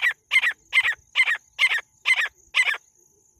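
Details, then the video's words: Female jungle francolin, locally called jungle teetar, giving a loud harsh raspy call of broad double-pulsed bursts repeated steadily about twice a second, eight bursts in a row, with a faint insect hum behind. "Jungle francolin female original sound | Jungle teetar ki awaaz"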